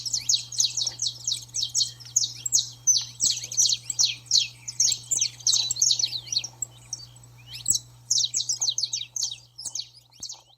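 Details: Rowdy baderna singing of a saffron finch, meant to train and excite a pet bird: a dense, rapid stream of high, sharp chirps, several per second, briefly pausing near the end before resuming, with a faint low hum.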